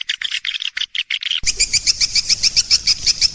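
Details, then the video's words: Swiftlet calling sound: rapid high chirps, then a steady train of clipped twittering notes repeated about three times a second over faint background hiss. "Suara panggil sembilan belas detik"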